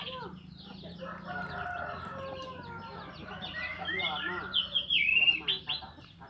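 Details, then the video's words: Orange-headed thrush in continuous morning song, ngeplong style, played to encourage other thrushes to sing; long rambling series of mixed whistles and chattering notes that grow louder toward the end, over a faint low hum. "Anis merah Ngeplong di pagi hari untuk memancing Anis macet jadi teler"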